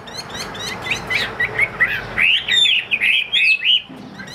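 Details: Chinese hwamei from a bird seller gives a run of quick, twisting whistled notes that grow louder toward the middle, over a hissy background, ending in a fading note.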